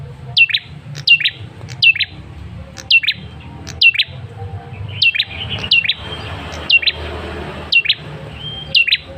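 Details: A male Ashy Tailorbird gives a lure call for prompting a reply. High down-slurred notes, each paired with a short clipped note, repeat steadily about twice per second over a soft hiss.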